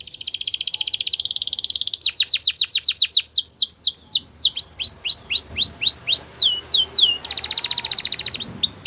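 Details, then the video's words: A Gloster canary delivers a rapid rolling trill, then loud downward-sweeping notes, then hooked whistles repeated at a steady rhythm, ending in another fast dense trill. "Gloster Canary Singing | Canary Training Song"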